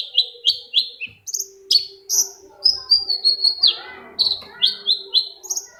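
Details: Long-tailed shrike song used as a lure to provoke another shrike into singing: harsh, buzzy descending notes high in pitch, given in quick runs with short gaps, and a faint steady low hum beneath.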